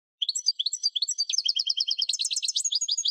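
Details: European goldfinch in full song, a fast continuous stream of liquid twittering and tinkling notes, alternating high and low, with brief chattering phrases and no background noise.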